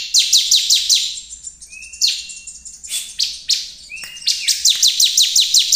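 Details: Bar-winged Prinia, a lively singing bird used to provoke others into calling, gives rapid runs of sharp, high, downslurred chirps, about three a second, broken midway by a few thin, level whistles.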